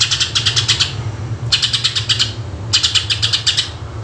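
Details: Lively greater green leafbird song meant to draw in other birds: three quick strings of hard, clicking chattered notes, each lasting about a second, with a low droning hum underneath throughout.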